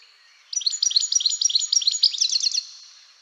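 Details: European goldfinch in the UK, whose song is high bell-like trills like rapid chatter: a quick run of high tinkling notes about three a second, ending in a fast liquid twitter.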